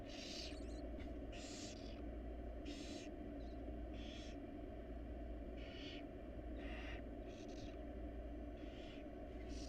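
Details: Inside a monitored nest box, a wild barn owl family keeps up a run of about nine short, hoarse hissing bursts spaced roughly a second apart, softer than the steady low droning hum behind them.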